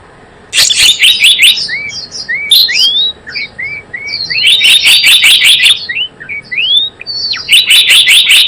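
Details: Java sparrow call used to lure birds into traps, with quick stuttering chirp series broken by single rising whistled notes; the bouts come back in close succession over the whole stretch.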